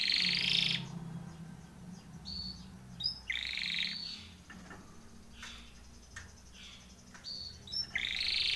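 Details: Timbrado canary song, fainter and set against a hissy background: short buzzy trilled bursts separated by pauses, with scattered thin high notes in between.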